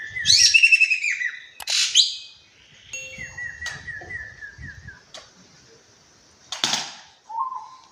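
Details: Javan kingfisher, described as an Indonesian bird in full, lively voice, giving a varied run of loud, descending whistled notes and harsh chattering bursts, with some slurred notes repeated quickly near the middle.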